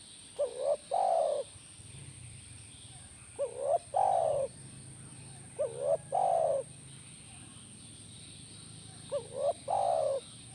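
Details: Repeated spotted dove calling used to stir a caged dove to answer: four two-part phrases at steady intervals of about three seconds, each a short upslurred coo then a longer mellow falling coo, over a low hum.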